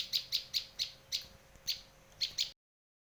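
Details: Indonesian Bar-winged prinia used for bird luring and tutoring: a short series of clear, piercing chips, evenly spaced at first, then a paired double chip, ending abruptly in silence.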